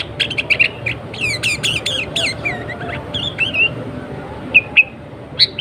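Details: Sooty-headed bulbul (kutilang) lure recording: a dense burst of harsh, scratchy chips and squawky notes, then short warbled whistles and a few sharp whistled calls near the end, with a faint hum throughout.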